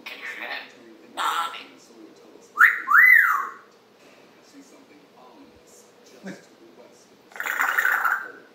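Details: Captive African grey parrot chattering in the morning, July 26, 2021: a sharp rising-falling whistle around three seconds, brief scratchy bursts before it and a longer noisy squawk near the end, indoors with low room hum.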